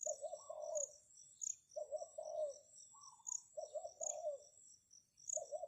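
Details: Spotted dove used as a decoy, calling to draw wild doves: repeated low cooing phrases with a short higher note between, accompanied by busy, rhythmic high insect chirping.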